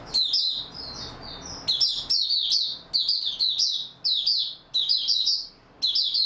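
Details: Stable-form opening song from a white-eye on 28 February 2022: a soft thin warble leading into a long chain of loud, high, rapidly repeated twittering phrases.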